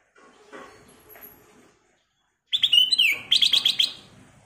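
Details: Black-crested bulbul in full lively song: after a faint rustling start and a pause, a loud clear phrase of quick whistled notes around mid-high pitch with a sliding slur, then a rapid run of four or five bright repeated notes.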